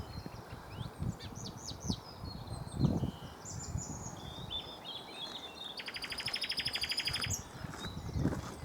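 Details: A male common nightingale singing in the sun, in full view, gives varied whistled and chirping phrases, then a fast, loud rattle of repeated notes for about two seconds, over low wind rumble.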